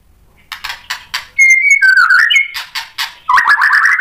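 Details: Stirred by a rival, a white-rumped shama shows off its learned phrases. Soft clicking notes lead into a held whistle, a burbling twist and ticks, and it ends on a fast trill of rising notes.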